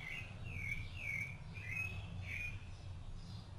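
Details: A rufous-bellied thrush, while feeding its chicks, sings short, fluty warbled phrases, about five in a few seconds, over a steady low rumble of background noise.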